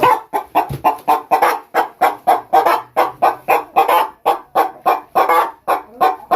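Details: Brahma laying hens kept in a backyard in England, heard in a rapid run of harsh, clucking bursts repeated about three times a second with a steady rhythm.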